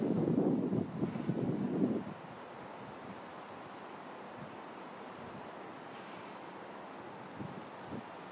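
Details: Gusts of wind buffet the microphone for two seconds, then a quieter steady outdoor hiss follows, with no birdsong.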